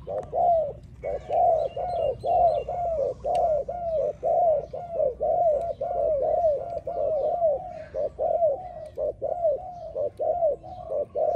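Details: Spotted dove, a bird kept for training, cooing steadily: soft low hollow coos repeated about once a second in regular groups, with faint twittering of other birds in the background.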